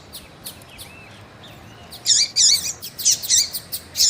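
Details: Female rusty-collared seedeater, a caged bird, calling to stimulate a male; first half quiet with faint thin notes, then loud high chirps in quick bursts from about two seconds, some with lower swooping whistles beneath.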